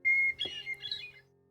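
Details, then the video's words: Hermit Thrush song, one phrase: a long, pure whistled opening note, then a quick, higher, fluty tumble of notes, with a faint low hum underneath. "By comparison, song-wise, here's the hermit thrush."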